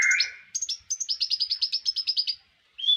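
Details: Brown-throated sunbird (konin) tutor song for songbird keepers: one husky slurred note, then a rapid, even rattle of about fifteen high, sharp chirps, ending with a short whistle.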